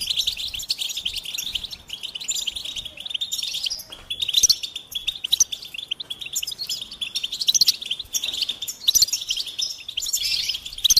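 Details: Goldfinch in full song, an eleven-second torrent of bright, buzzy twitters and tinkling high notes, loud and nearly continuous with a couple of short breaks.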